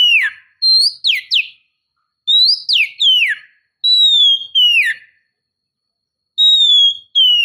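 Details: Whistled calls of a female Oriental magpie-robin drawing in a male, in groups of two or three clear notes that slide sharply downward, separated by short silences.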